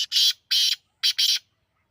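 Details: A partridge delivers rapid, rasping call notes: two strong buzzy bursts, then a quick double burst, all loud and coarse-textured.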